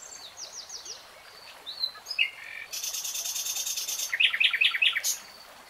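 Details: Common nightingale (Luscinia megarhynchos), song.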